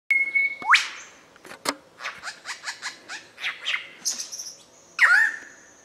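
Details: Mature male lyrebird singing part of his repertoire under dark rainforest canopy in Dorrigo National Park: a steady whistle, then a run of about ten quick downward-sweeping notes, closing with a bright whistle and a sharp ringing sweep.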